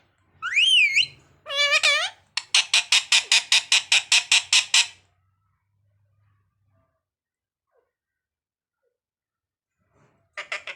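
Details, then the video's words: Parrot voice: a rising whistled note, then a wavering nasal call, followed by a fast, even run of about a dozen harsh chattering squawks, silence, and a last short squawk. "parrot birds talking"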